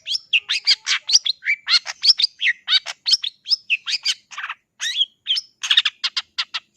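A long-tailed shrike pours out a fast, unbroken run of varied chirps, harsh notes and whistled slurs, several notes per second, with nothing else audible behind it.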